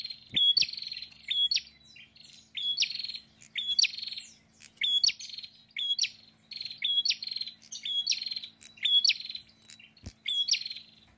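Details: Active prinia (prenjak) song: a steady string of phrases, each opening with a level whistled note and breaking into a buzzy, crackling trill, repeated about once a second over a faint steady hum.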